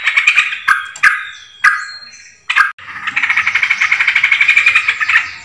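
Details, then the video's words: Yellow-vented bulbul luring call: several sharp, abrupt chirps separated by gaps in the first three seconds, followed by a steady, rapid, bubbly chatter of pulsed notes to the end. "pikat burung trucukan terbaru"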